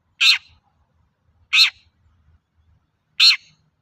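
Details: Long-tailed shrike sound played to provoke other shrikes into singing: three loud, rasping, buzzy notes separated by long pauses, with quiet surroundings.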